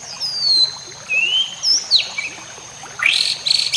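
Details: White-rumped shama song, used for training other caged shamas, with added nature ambience and water: a few long, smooth, clear whistles rising and falling, then a brief harsh rasping burst at the end.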